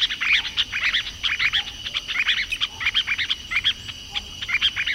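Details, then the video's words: Masked water tyrant (Fluvicola nengeta) singing a lot: short, sharp, high chirps tumble out several per second in uneven bursts, over a faint constant high hum. "lavadeira mascarada ( Fluvicola nengeta ) cantando muito."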